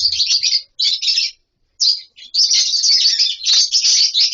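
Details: Lovebirds in a colony aviary give two short bursts of sharp, high chatter, fall quiet, then break into a continuous shrill twittering chorus.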